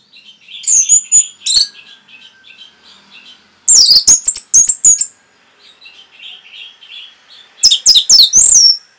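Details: Orange-headed thrush song for training caged birds: three loud bursts of rapid, piercing high chirps and whistles, separated by softer warbled twittering between them.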